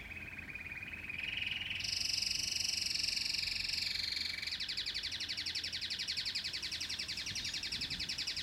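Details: Domestic canary delivering a lower rising trill that swells into a loud, sustained high roll. It then shifts into a quick, buzzy pulsed tour that carries on steadily.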